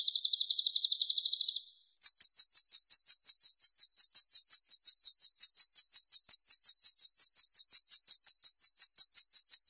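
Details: Purple-throated sunbird, locally called kolibri ninja, in a clean song-training recording: a buzzy, layered trill of very high notes for under two seconds, a brief pause, then a long, steady run of sharp ticking notes repeated rapidly and evenly.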